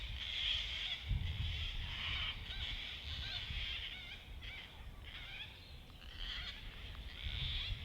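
Gang-gang cockatoos give a near-constant rasping, creaky-door screech, wavering and grating over several overlapping calls, with low wind rumble underneath.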